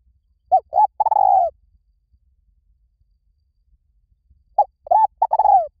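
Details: Spotted dove, recorded for luring wild birds, gives a three-part coo twice, about four seconds apart: two brief hollow notes, then a drawn-out purring coo that falls at the end, in a quiet setting.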